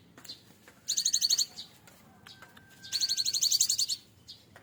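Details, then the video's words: Hand-raised cinereous tit, reared from a fledgling and reaching adulthood, caged, singing a full learned repertoire. Two long, fast, high buzzy trills of evenly repeated notes, each lasting about a second, separated by a pause with a faint steady tone. "burung Gelatik batu full isian"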